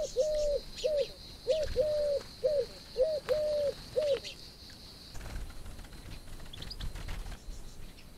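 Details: Common wood pigeon giving a series of about seven soft, hollow coos, short and long mixed, over four seconds before falling silent; a steady high hiss and light ambient noise continue behind.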